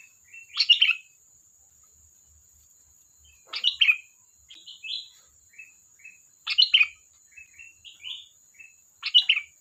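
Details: Chattering sooty-headed bulbul: loud bubbly phrases roughly every three seconds, four in all, with quieter whistled chirps between them and a constant faint high whine.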